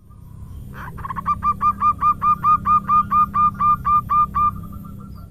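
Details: Female local zebra dove performing irama manja song for use as a lure: a long run of about sixteen clear, regular coo notes that swell in loudness and fade at the end, over low background hum.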